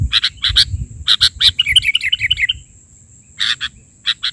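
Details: Kutilang, or sooty-headed bulbul, singing an isian bahari version: loud clipped chirps in quick pairs, a fast bubbling trill of small notes, then more sharp chirps after a short pause.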